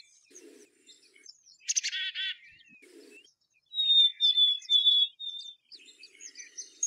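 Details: Black-capped chickadee giving a short burst of buzzy, harmonic notes, then a clear, drawn-out, falling whistle, with soft chips and twitters around it.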